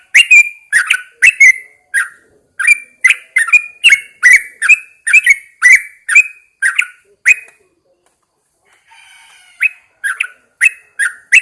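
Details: Morning song of a caged Yellow-vented Bulbul hung outdoors. Long runs of quick, liquid, bubbling whistled notes continue for several seconds, pause briefly amid faint rustling, then resume.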